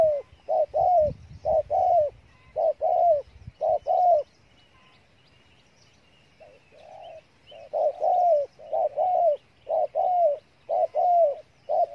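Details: Spotted dove from Cà Mau, Vietnam, in the 'thổ' song style with a full repertoire: deep mellow coos in short bursts, about one per second, pausing midway before resuming.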